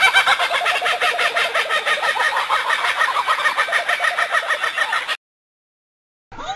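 A kookaburra gives a loud, rapid cackling chorus of about three hoarse notes a second for five seconds, then breaks off into silence before a brief faint sound returns.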